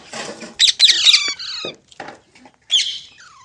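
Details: Green parrot, a pet presented as talking, giving a few loud, harsh screeches with buzzy overtones over a low, hissy background, then a quieter falling whistle at the end.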